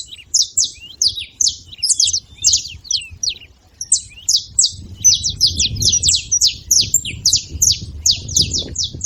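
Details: {'text': 'Saffron finches making noise in a group: dense, quick streams of high, sharp chirps, some overlapping, with a short pause near the middle and a soft low rumble underneath.'}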